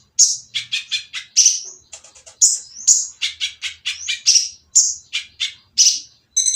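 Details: Oriental magpie-robin with a harsh, noisy voice, singing to provoke silent birds into answering. The song is a rapid run of high, sharp chirps and short rasping notes, many separate bursts with brief gaps between them.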